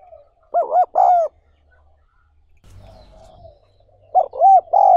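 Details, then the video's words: Spotted dove cooing, recorded for training newly caught doves: a phrase of two short arched coos and a longer held note, a soft low murmur, then the same phrase starting again. "60 Phút Tập Chim Cu Gáy Bổi Mỗi Ngày"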